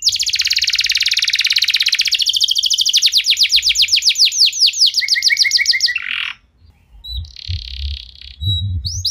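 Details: Canary singing to prompt other canaries to sing: a rapid buzzing trill slows into distinct descending sweeps, then a few lower chirps, a pause and a short buzzy note, with faint low thumps in the background.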